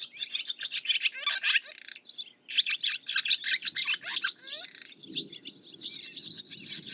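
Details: Continuous lively twittering from a barn swallow, full of rapid warbles and slurred whistled notes with a brief pause near the middle, some low background rumble.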